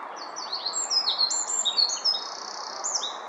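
A Eurasian wren pours out a loud, rapid stream of high, sharp notes and trills, over a steady rushing background noise.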